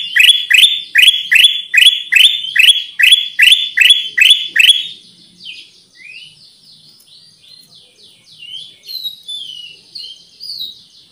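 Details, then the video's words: Pycnonotus melanicterus, the Black-crested Bulbul, in a luring recording: about eleven strong, evenly spaced chip notes over five seconds, followed by softer, scattered whistled phrases. "SUARA PIKAT AMPUH KUTILANG EMAS/burung kutilang emas gacor"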